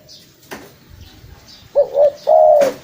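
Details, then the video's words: Spotted dove lure call: after quiet background and a click, a single phrase of a short double coo and a long mellow coo, ending with a sharp knock. "SUARA FULL BURUNG TEKUKUR"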